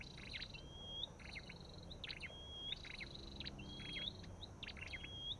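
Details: Olive-backed tailorbird calling: repeated phrases of short buzzy notes followed by a clear, upslurred whistle, the pattern returning about every one and a half seconds, over a low rural background hum.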